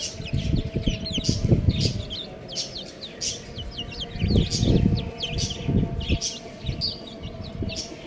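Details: Baby chickens cheep continuously in bright, high, downward-slurred notes repeated many times a second, while heavy low thumping and rustling rise and fall underneath.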